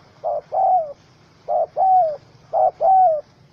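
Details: Wild spotted dove, angry, caught in a small rope trap, recorded 04/07/2017: three paired coos, each a short low note followed by a longer, slightly falling coo, pairs coming about once a second.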